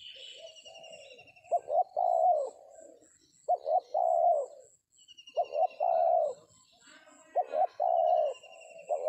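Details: Cooing Spotted Dove at a trapping site in an oil palm plantation, using a decoy; a series of phrases, each two clipped notes then a sustained coo, spaced about two seconds apart over faint high chirping.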